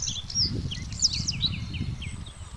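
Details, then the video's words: Short Bluethroat phrase of high sliding whistles, several falling notes in quick succession, over a low noisy rumble. "Bluethroat Call"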